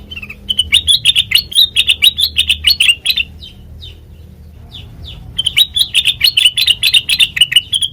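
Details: Sooty-headed bulbul with a melodious song used to lure and train other birds: long fast chattering runs of sharp chirped notes, broken by a quiet stretch with a few soft slurred notes, then a second energetic run.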